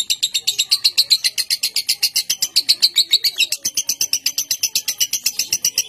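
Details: Contest lovebird from Bogor, Indonesia, singing its long-duration 'konslet' ngekek song: a fast, unbroken stream of sharp, high, buzzy chirps, roughly six per second, steady in pitch across six seconds, with faint room background.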